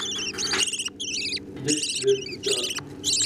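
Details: Budgerigars feeding chicks: short, shrill begging squeals with quavering, rising-and-falling tones in separate bursts, some softer chatter and a faint low hum underneath.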